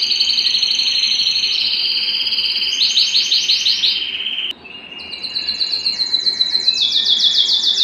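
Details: Home canary excited and seeking to mate: a long sustained trill with a rising run of rolled notes, a brief sharp break, then a fresh fast, chattering series of high notes.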